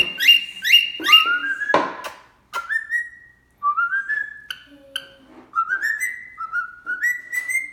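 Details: A pet cockatiel, learning to sing, whistles the Addams Family theme in bright, rising slurred notes with short pauses.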